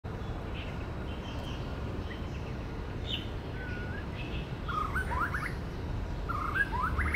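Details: Male white-rumped shama singing and mimicking other birds in woodland: after a quiet start, short rising whistled phrases and quick warbled notes come in the second half, over steady low rumbling background noise.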